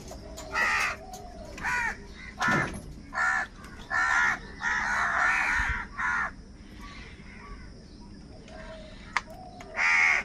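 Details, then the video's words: Crows fighting for food, giving loud harsh caws in bursts of about half a second, roughly one a second, with several birds calling in turn and a faint background hum. "Crow sound of kaka - Kaka sound and noises of crow birds | Different kauwa ki awaz"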